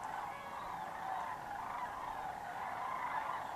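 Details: Migrating sandhill cranes swirl and pair in flight over Georgia and Tennessee, heading south for winter, with several flocks aloft at once. A dense, steady wash of overlapping rolling calls is punctuated by a few brighter individual notes.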